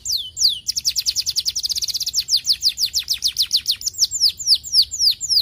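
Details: Young canary singing a fast, continuous trill of high, downward-sweeping whistled notes, about four per second at first, then slowing into longer slurred phrases; faint low hum underneath.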